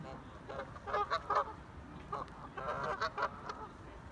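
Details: Group of ducks calling: harsh nasal honking quacks in short clustered bursts, a few per second, with background noise and faint voices.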